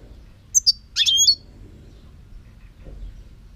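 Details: European goldfinch song recorded in 2018: two quick high chips followed by a short, bright tinkling trill, then quiet with low background rumble.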